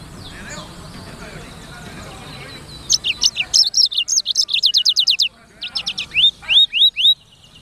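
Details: High, rapid song of a black-throated canary, with dense runs of descending chirps that break off, then resume as slower upswept whistled notes, after a few quieter seconds of low background noise.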